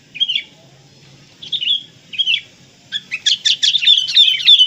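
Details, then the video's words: Sooty-headed bulbul, kapas type, singing a full isian tutor song: three short whistled, slurred phrases about a second apart, then a fast, loud burst of rich chattering notes with bright whistles, in a quiet setting. "MASTERAN FULL ISIAN KUTILANG KAPAS"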